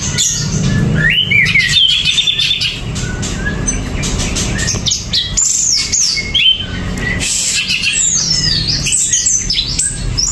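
Greater green leafbird pouring out a loud, varied song of sharp whistles, rapid chirps and harsh squawky notes with hardly a pause, over a low background hum.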